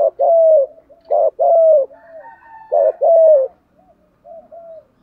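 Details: Spotted dove giving gáy gọi and thúc gù coos: loud, low, hooting phrases, each a short note followed by a longer falling coo, repeated about every one and a half seconds, with softer coos between.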